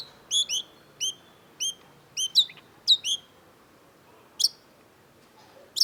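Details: Long-tailed shrike (cendet) gives clusters of high, stacked chirps with short trailing whistles, then a pause broken by two isolated sharp notes.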